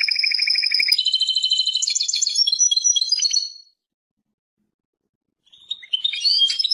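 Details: European goldfinch, described as Persian goldfinch, opening with a steady whistled tone, then breaking into rattling trills and chirps for about three seconds, silence, and a softer restart.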